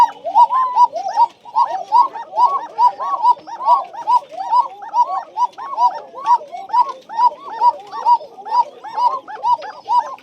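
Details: Several tiger Bashiraj pigeons kept in a loft in Bagmara, Rajshahi, Bangladesh, cooing together. Short, looping, throaty coos overlap quickly, roughly two per second, and layer into a continuous busy murmur.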